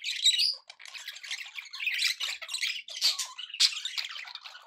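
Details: Happy domestic budgerigars chattering, opening with a high whistled squeak, then rapid grating warbles and clicks with sharp chirps standing out.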